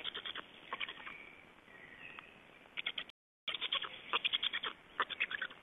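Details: Estonian Black Storks at their nest, 31 May 2012, around a nest change and feedings; short runs of quick pulsed chattering notes alternate with a faint drawn-out tone, with a brief gap in the sound midway.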